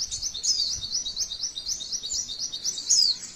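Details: Female white-eye, masteran recording: an unbroken stream of rapid, thin, high chirps forming a rolling trill, with a sharper down-slurred whistle near the end.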